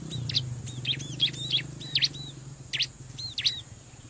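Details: Bar-winged prinia riverside lure calls for wild birds: bright, high chipping notes in quick V-shaped strokes, irregularly spaced, over a low rumbling hum and hiss.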